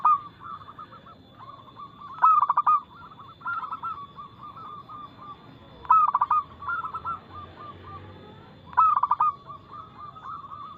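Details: Local zebra dove in full song, fast tempo and loud crystal-clear voice, used as a lure to get other doves singing: loud rolling, stuttering coo phrases burst out about every three seconds, with softer repeated cooing running between them.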